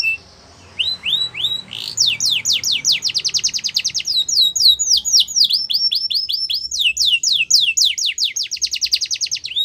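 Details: Yorkshire canary singing for song training. After a short pause, a few rising chirps open into long, rapid trills of sharp, sweeping notes repeated several times per second, with rolling, ringing phrases and no other clear sounds.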